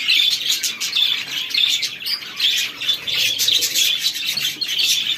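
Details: Chicks feeding, producing a steady stream of piercing little chirps, several callers overlapping in an unbroken high twitter.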